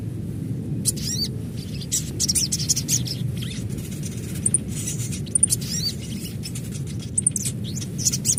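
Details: Adult little spiderhunter calling in natural surroundings: sharp, high, thin chirps and short trills come in rapid, irregular bursts throughout, over a constant low rumble of background noise.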